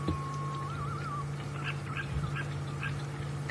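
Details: African green pigeon at Djuma on an afternoon safari drive near dusk, where green pigeons had been drinking that day, gives a pure warbling whistle wavering up and down, then softer fluting notes, over a steady vehicle engine hum.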